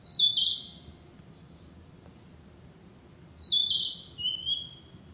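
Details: Narcissus flycatcher, a summer visitor breeding locally, singing in woodland: two clear whistled phrases about three seconds apart, each a bright high note sliding down into a lower, slightly buzzy trill, over a quiet background.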